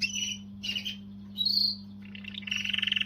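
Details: Canary singing to motivate females: short separate bursts of bright chirps and a thin whistled note, ending in a quick rising trill, over a constant low hum.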